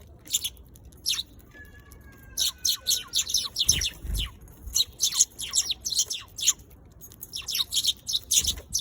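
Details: Sparrow, given in Japanese as suzume, the Eurasian tree sparrow: a busy run of short, sharp, high chirps from several birds, closely spaced in bursts across the whole stretch, with a few low thumps and faint background noise.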